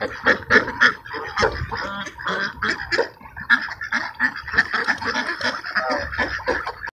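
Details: Many ducks at a park feeding at sunset produce a dense chatter of short raspy quacks and higher squeaky notes, overlapping irregularly and repeated several times a second, with little background noise.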